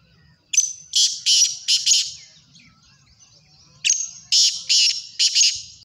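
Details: Black francolin call: loud grating, buzzy notes in a rhythmic phrase of about five bursts, repeated after a short pause, with faint background chirping.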